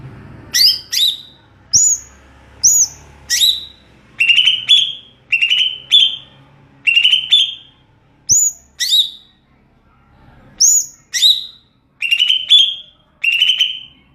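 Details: Greater green leafbird delivering a long ngeplong-style song of loud, clear whistled phrases, high sharp notes alternating with lower drawn-out whistles, repeated about once a second with short gaps.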